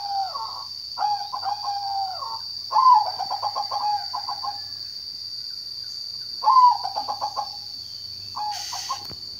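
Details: Zebra dove song of repeated rolling coo phrases, each a slurred opening note and quick stuttering pulses, louder and softer phrases alternating, a steady high hum throughout and a brief click near the end.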